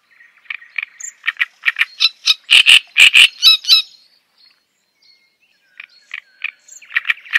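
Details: Java sparrow chattering song: clicking chips accelerate to a burst of loud ringing clucks and metallic notes, go quiet briefly, then soft chipping starts again.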